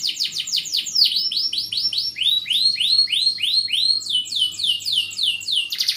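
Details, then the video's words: Canary song of fast repeated high sweeping notes, the phrases switching between rising and falling slurs at about three to four per second, with steady low hum in the background. "Suara Burung Kenari Gacor cengkok mewah"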